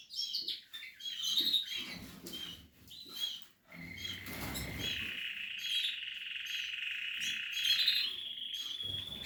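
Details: Portuguese harlequin canaries, nesting chicks in captive breeding: high chirps, then a long steady whistled note with buzzy trill overtones, and a burst of low rustling noise midway.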